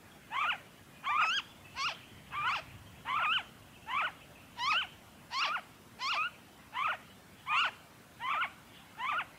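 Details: Noisy friarbird in Victoria, Australia, recorded February 2023, calling in a regular series of about a dozen scratchy, twisting notes, each roughly 0.7 seconds apart, against quiet background hiss.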